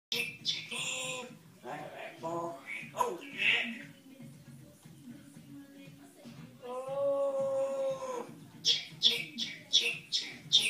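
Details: Pet African grey parrot indoors singing 'chic chic chic chic chicken': speech-like voiced phrases with stacked tones, a long sustained note, then a fast series of short repeated chirpy syllables.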